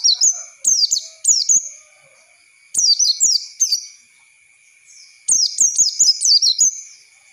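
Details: High twittering song of an Oriental white-eye, played to train young birds: repeated clusters of quick downslurred chirps separated by brief pauses, with a steady faint high whine throughout.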